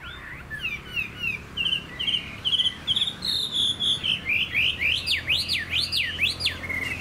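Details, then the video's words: Captive Chinese hwamei song: short clipped whistles speed into loud, sweeping notes that rise and fall in a regular rolling rhythm, over faint low background noise. "Họa mi dáng ngũ trường, đấu xòe, hót tốt"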